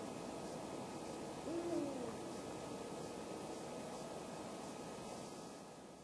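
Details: A calling male Eurasian eagle-owl at dusk on 2 March 2010 in Falkenberg, Halland, Sweden, gives a single deep, short hoot, partly buried under a steady roar of wind or distant traffic.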